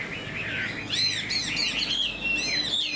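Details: ['Chinese Hwamei in a cage, tail fanned, new plumage, flicking its tail as it sings: a mellow lower warble giving way to high ringing whistles and slurred notes, faint music underneath.']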